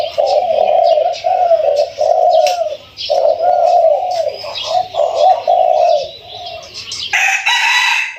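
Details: Captive spotted dove, newly caught one to two weeks earlier, described as mid-to-large voiced. It gives low, mellow cooing phrases repeated with short gaps. Faint high chirping runs in the background, then a burst of noise near the end.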